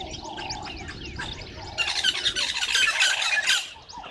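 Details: Red-billed buffalo weavers collecting nesting material at a waterhole, Gowrie dam, Djuma Game Reserve, Sabi Sand, South Africa, at 05:30 on 11/08/2023; loud harsh rapid chatter bursts out midway over a softer dawn chorus of other birds.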